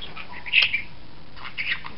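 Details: A budgerigar watching outside gives short, scratchy chirps and squawks in two brief bursts.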